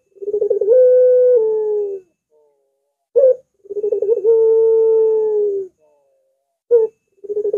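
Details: Barbary dove gives long, drawn-out, mellow coos of about two seconds each, low and slightly bending in pitch, with short clipped notes between them; a recording used as a lure for other doves.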